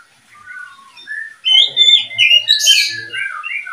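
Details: Breeding pair of murai and kacer in captivity: quiet low whistles building into loud, fast, chattering and scratchy phrases with bright whistled notes mixed in.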